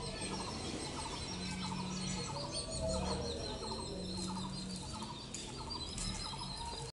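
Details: Parent Indian grey hornbill feeding its young, giving fast cackling runs of short stacked notes, several per second, with a low continuous drone and faint high chirps behind.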